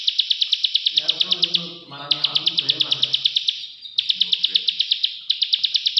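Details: Indonesian plain prinia (prenjak sawah, prenjak klik) delivering bursts of fast, dry, high-pitched clicks separated by short pauses, with faint lower murmuring sounds in the background between runs.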